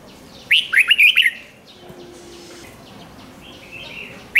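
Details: Red-whiskered bulbul, a song used to stir up caged birds, gives one quick phrase of lively, rising and falling chirped notes, then quiet with faint background calls and a brief note at the end.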